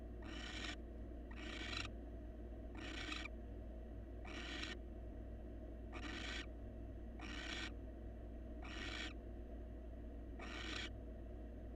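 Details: Wild barn owl pair in a research nest box, male grooming his mate and offering a meal; eight evenly spaced harsh hissing screeches, roughly one every one and a half seconds, over constant low hum.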